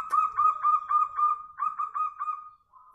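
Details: Zebra dove singing in reply to a lure bird; a fast run of rolling, bubbling coo notes repeated about four per second, then a trailing steady hum that fades to a soft coo.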